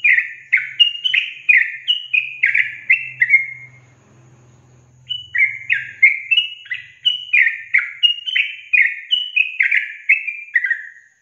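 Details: Sooty-headed bulbul song used to provoke caged birds into singing: rapid series of short descending chirpy notes, each sliding downward, in quick bursts, with a pause near four seconds and a low hum beneath.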